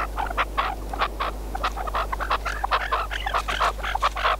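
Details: Hunting decoy partridge: throaty, rasping notes repeated in a quick, irregular series, growing slightly louder toward the end, over a steady low hum.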